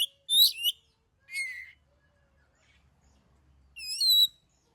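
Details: Oriental magpie-robin song played to provoke other birds into singing: a few separate high, buzzy whistled phrases broken by a long silence, ending on one loud ringing phrase.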